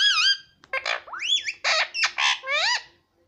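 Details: Parrot described as talking papa and mummy; a continuous string of loud harmonic syllables, harsh rasps and swooping rising notes, sounding like chattered speech, ending abruptly.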